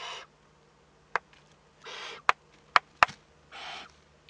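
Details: Young Eurasian eagle-owl at a monitored nest in northern Rhineland-Palatinate, Germany, 15 May 2013, making first contact. Three noisy, rasping hisses alternate with sharp knocking clicks.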